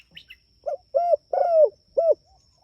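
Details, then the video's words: Spotted dove calling to its companions: a brief high chirp from another bird, then four cooing notes with the third longest and gently falling; a faint high tone runs throughout. "Suara Burung Tekukur Gacor Memanggil Temanya"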